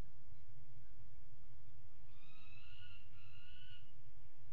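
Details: At a nest box on the Axel water tower in the Netherlands, 5 February 2018, peregrine falcons mate on the ledge: two long, slightly wavering whining calls in quick succession over low steady hum.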